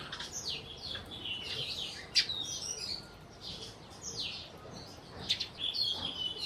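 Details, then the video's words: Several sparrows in Burma chattering together: quick high chirps and short downslurred notes tumble over one another almost continuously, with brief louder calls cutting through the flock. "Sparrows/ sparrow sounds"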